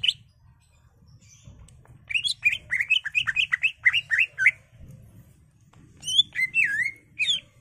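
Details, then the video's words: Greater green leafbird in captivity singing excitedly, used to goad other caged birds: a fast burst of repeated slurred whistles about four per second, a pause, then a few louder swooping notes. "CUCAK IJO GACOR EMOSI BONGKAR ISIAN NGENTROK/ PANCINGAN CUCAK IJO BIAR EMOSI"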